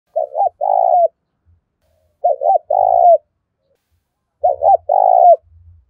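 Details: Spotted dove cooing, played daily to stir newly caught doves into cooing: three identical phrases, each two quick looped notes followed by a longer burred, slightly falling coo, repeated about every two seconds against silence.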